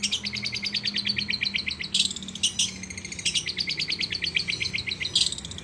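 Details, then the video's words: Long-tailed shrike singing with lovebird imitation: long fast runs of sharp, evenly repeated high chirps, broken by harsh buzzy bursts, with a faint low hum underneath. "cendet gacor isiannya burung lovebird"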